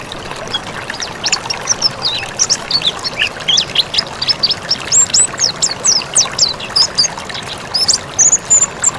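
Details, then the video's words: Mountain white-eye singing energetically, used as a training recording. Softer, jumbled high twitters give way to clearer, rapid downslurred notes and a final high trill-like phrase, with constant background hiss. "Masteran pleci MONTANUS gacor"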